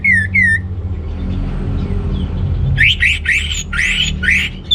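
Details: Orange-headed thrush singing, used to rouse males lacking breeding drive: two slurred descending whistles, a quiet pause, then a series of loud, sweeping, buzzy notes over low hum.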